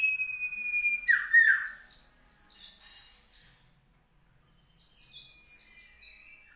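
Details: Common iora (cipow) singing in South Malang on 15 June 2020: a loud chirped burst followed by rapid, repeated, descending high notes in two bursts, over a faint steady whistle.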